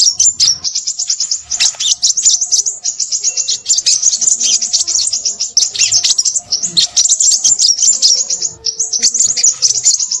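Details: Crimson sunbird delivering a long, restless song of high, sharp twitters and quick trills, nearly continuous over ten seconds with only brief breaks.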